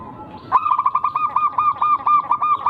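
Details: Local zebra dove with a rare, unusually rhythmed song, used as a lure to provoke rivals into answering: a sudden run of about twelve quick, throaty, pulsing coo notes, each evenly spaced and slightly rising, after a brief quiet start.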